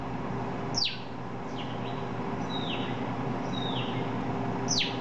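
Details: Thrush near a house, giving thin, high whistled calls that slide steeply downward, about five spaced a second apart, over a steady low hum.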